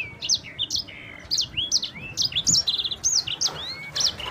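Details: A yellow-fronted canary, described as a champion with a clear voice, in 'ngerol' rolling song: a lively string of high whistled notes, upward slurs and crisp chips at a steady fast pace.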